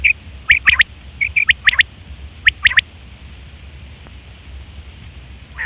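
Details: Quail, September 2023, common call for hunting and mating; three clusters of sharp high triple notes with brief buzzy chirps between, then a quiet pause and a final note.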